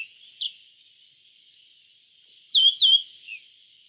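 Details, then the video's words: Yellow bunting song: a brief high chirp, a pause, then a quick run of sharp, falling twittered notes. A faint continuous high hum lies behind the song. "Suara Burung YELLOW BUNTING - YELLOW BUNTING Bird Sound"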